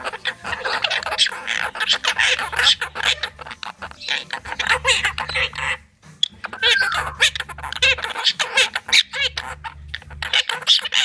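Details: Monk parakeets, or quakers, in a noisy mood: harsh, rasping squawks and chatter pour out almost nonstop, with a brief lull midway before the clamour resumes over a low background hum.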